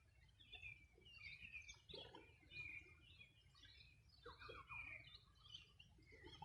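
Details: Riverside birdsong at the Bueno River, Los Ríos Region, on a summer morning in 2020: a busy tangle of high chirps and quick twittering notes, with a short falling phrase midway and low background noise.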